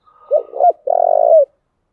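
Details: Spotted dove decoy, used to lure wild doves. A faint lead-in tone, a short wavering coo, then a prolonged pulsing low coo descending at the end. No other noises.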